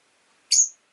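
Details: Rosy-faced lovebird giving a single loud, harsh, rasping chirp lasting about a quarter second, with silence before and after.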